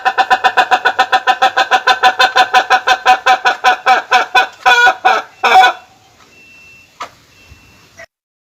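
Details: Ayam Ketawa rooster laughing: around thirty quick, regular harmonic pulses, several per second, build into two longer strained notes, then stop, leaving near silence with a faint thin tone and a click.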